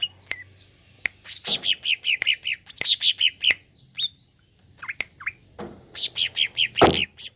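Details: Greater green leafbird song meant to rouse a kept leafbird: runs of quick downslurred whistled notes at a fast, uneven pace, broken by sharp clicks and a few harsh rasping bursts.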